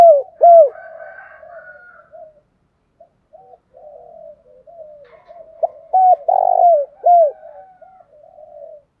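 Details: Spotted dove giving fight-provoking 'thúc đấu' calls: loud falling coos at the start, a long passage of quiet murmured cooing, then a loud phrase of clipped notes, a burry long note and a falling coo.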